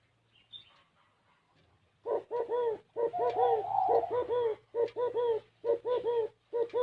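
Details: Spotted dove coos in the strange 'gáy gù kích bổi' manner: after a quiet start with faint chirps, rapid pairs and triplets of deep, curved coo notes repeat steadily, with one longer blurred coo in the middle.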